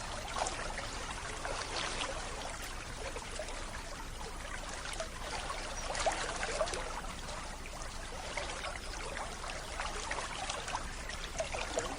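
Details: Steady rushing water like a stream fills the recording, with no animal calls heard.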